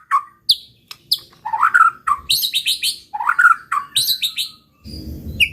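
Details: White-rumped shama singing a lure song to provoke rival shamas: sharp chips alternating with rich warbled phrases and rapid high notes, ending with a brief burst of broad noise.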